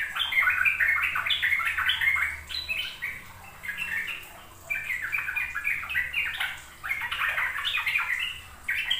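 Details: Sooty-headed bulbul ropel song meant as a lure for young birds still learning: dense bursts of chattering, bubbly whistles separated by short pauses near three and six seconds, faint low hum behind.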